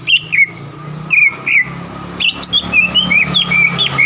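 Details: Green leafbird lure song to make a rival sing: slurred whistles and squeaky notes, then a quick series of bright, looping whistled phrases, over low background hum.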